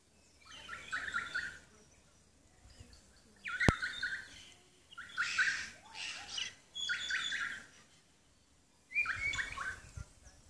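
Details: Kakas, noisy native parrots of Stewart Island, New Zealand, call in four separate bursts of grating squawks and nasal chattering notes, with short quiet gaps between them and one sharp click near the start.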